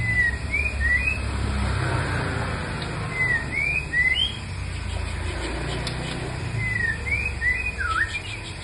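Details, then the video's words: Strange, rare-sounding call of a white-rumped shama: a short phrase of three or four rising and falling whistles, repeated about every three and a half seconds, with steady low traffic rumble and faint voices behind. "burung murai batu suara aneh dan langka"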